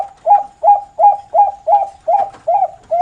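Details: Bangkok zebra dove, a farm bird from Pamekasan, Madura, in noklak song style. Eight clear, hollow coo notes repeat briskly, roughly every 0.4 seconds, each with a short rising-and-falling lilt.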